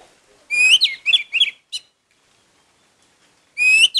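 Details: Orange-headed thrush giving loud, clear whistled notes that swoop upward, then a few short chirps, a pause, and another rising whistle.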